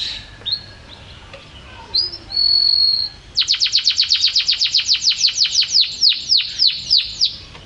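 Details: Champion canary in persistent song: scattered soft notes and a held whistle, then a rapid run of loud, sharply falling repeated notes that slows toward the end.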